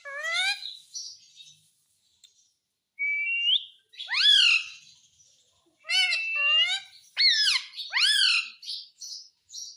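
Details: Pet Indian ringneck parakeet that talks in Hindi, saying "mummy" and "mitthu"; loud harmonic, speech-like syllables with steep upward sweeps and a steady whistled note, delivered in bursts with gaps between.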